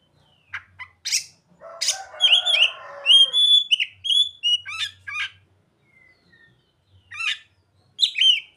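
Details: Oriental magpie-robin singing with mimicked ciblek and sogon phrases: sharp high chirps, then a loud buzzy rasping passage over layered whistled notes, followed by scattered bright upslurred and downslurred chirps separated by short pauses.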